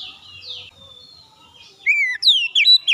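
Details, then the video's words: Oriental magpie-robin song used to get other birds singing: soft faint notes at first, then a loud burst of clear falling whistles and sharp upslurred notes at the end. "pancingan Kacer ampuh langsung gacor"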